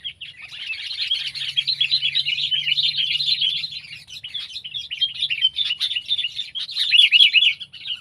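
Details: Continuous rich twittering of sooty-headed bulbul, pet and wild birds compared, made of rapid jumbled chirps and short whistled notes, growing louder toward the close.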